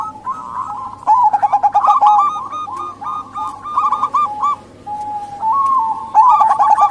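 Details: Calls of a female local zebra dove used as a lure for males: dense runs of quick, stuttering coo notes in repeated bursts, a brief lull, then another burst, with a background hum and ticking sounds.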